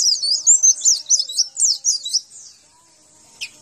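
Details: Javan white-eye (pleci) song used as a master for training birds: a quick burst of high, slurred twittering notes for about two seconds, then near silence and one faint sharp note.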